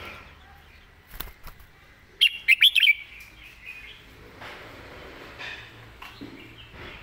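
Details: A single rapid phrase of loud, ringing whistled notes from a red-whiskered bulbul in the clearly enunciated master-song style, with scattered clicks, softer chirps and light background noise around it.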